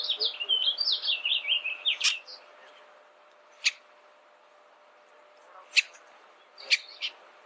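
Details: Bullock's oriole giving a two-second warbled phrase of rapid slurred high notes, ending in a harsh rasp, followed by isolated sharp clicking chacks every second or so.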